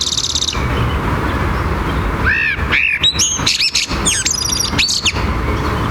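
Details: A Eurasian blackbird sings at dawn in Madrid's Royal Botanic Garden, a string of fluty, warbling phrases with rising and falling whistles and brief trills, over the steady roar of traffic on the Paseo del Prado.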